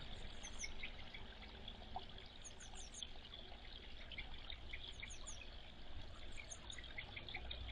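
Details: Two wild grey wagtails fighting over territory: bursts of three or four sharp, high, hooked notes in quick succession, repeated every couple of seconds over a steady rushing stream.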